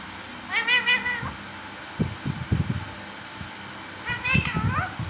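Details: Talking green parrot producing two loud harmonic, slightly wavering calls about three and a half seconds apart, with clattering low knocks and rustling sounds between them.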